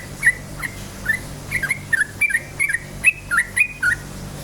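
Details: Yellow-vented bulbul singing vigorously, a recording used to provoke other bulbuls into song: a series of short whistled, slurred notes, each rising then dipping, given in quick bursts about every half second, over a steady low hum.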